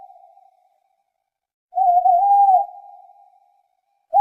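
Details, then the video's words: Owl giving a long, steady, whistled hoot held for about a second, pure and unwavering in pitch, trailing off as a fading echo; the end of an earlier note and the start of another hoot frame it. "SUARA BURUNG HANTU"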